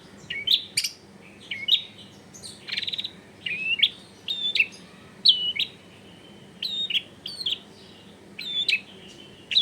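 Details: Long-tailed shrike tutor recording for coaxing a silent bird to sing, home setting: spaced phrases of bright, upslurred whistles and sharp squeaks, each phrase a second or so, with quiet gaps between.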